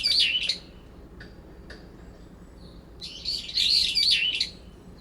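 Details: Two brown-eared bulbuls in a cherry tree in late September argue over territory, calling at once to mask each other. A short shrill warble, faint notes, then a longer, harsher rolling burst.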